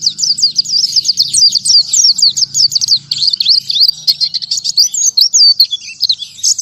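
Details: Sustained 'tembakan tanpa nafas' song of an oriental white-eye: a long unbroken stream of fast, high, slurred chirps and trills, faint low hum in the background early on.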